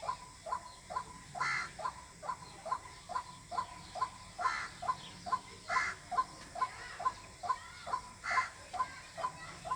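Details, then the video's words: White-breasted waterhen call, used to lure birds for hunting: a steady series of short, mid-pitched notes, about two per second, with a few louder broadband bursts and faint rural background. "Jal murgi Ki Awaz water hin || ডাউক পাখির ডাক। Waterhen Bird Call। পাখির ডাক দিয়ে পাখি শিকার।"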